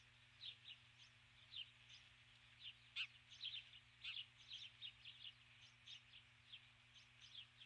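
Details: A female osprey, on her nest at dusk on 21 July 2015, calls for her mate with an insistent string of high, sharp chirps, some doubled, roughly every third of a second, over a steady hum.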